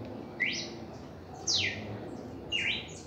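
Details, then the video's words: Red-crested cardinal, first reaction in song: a rising note, a sharp downward-slurred whistle, then a buzzy mid-pitched note with a faint high echo, spaced about one second apart over low hum. "Canto de Cardenal Cardeal 1°Reacción en Canto"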